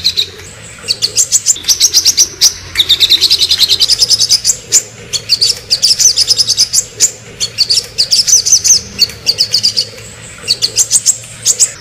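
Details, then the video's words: A crimson sunbird chatters in quick bursts of very high, thin chips and sharp twitters, running almost without pause, over a faint low hum. "burung sogon ngobra"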